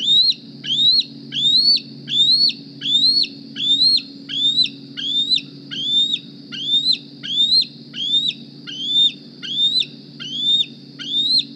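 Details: Young bald eagle, hatched April 2020 and fitted with a GPS transmitter, calls at the Decorah nest in the morning seeking food: sixteen loud, rising whistled squeals in a steady rhythm, faint background hum.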